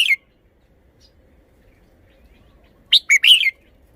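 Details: Red-whiskered bulbul performing its song phrasing: a brief bright note, then a long silence before a rapid phrase of three or four sharp, rising-and-falling whistled chirps, with no other sounds.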